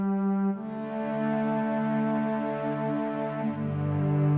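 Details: Sustained brass-like musical tones, a horn chord shifting slowly, with no animal voice.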